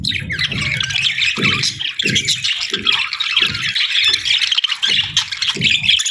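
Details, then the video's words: Two budgerigars during breeding season produce steady, busy warbling chatter with scratchy squawks, over a repeating low thumping roughly twice a second. "Budgie Pair Chirping Sounds 🐦💕 | Budgie Breeding Season 🦜✨"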